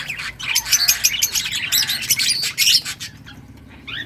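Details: Lovebirds of various colour mutations chirping as a group, rapid buzzy twittering notes packed in a fast stream for about three seconds, then fading to scattered faint squeaks.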